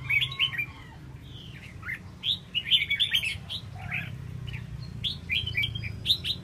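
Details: Red-whiskered bulbul fanning its tail, uttering scattered whistled chirps and short warbles at irregular intervals, a few louder bright notes standing out over a soft rumbling background.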